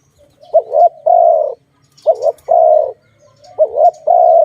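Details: Low cooing of a dove from a bird-trapping recording: three phrases, each a quick wobbling double note leading into a drawn-out steady coo, spaced about every one and a half seconds.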